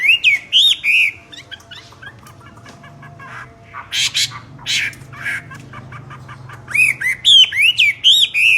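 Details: Common hill myna singing loudly: bursts of loud whistled and rising-falling notes, harsh noisy squawks and clicks, with quieter stretches of short ticking notes in between.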